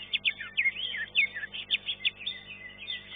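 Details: Singing-contest greater green leafbird (cucak ijo): loud, slurred downward whistles and sharp chips in an uneven rhythm, roughly two notes per second, with continuous warbling underneath.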